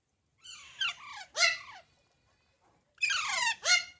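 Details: Baby parrots giving raspy, harmonic squawks that slide downward, two bursts of grating calls with a silent gap between them, recorded in a quiet indoor setting.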